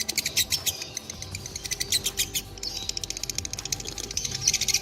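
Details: Fighter-type lovebird, dobel minor, delivering a long ngekek: quick, shrill, evenly spaced chattering pulses with faint whistled tones, rolling on continuously and growing slightly denser toward the end.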